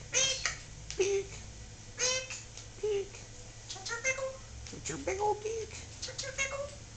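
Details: Talking pet Solomon Island Eclectus parrot indoors, giving a run of short, voice-like harmonic syllables in clipped bursts about every second, between a person's chatter in a small room.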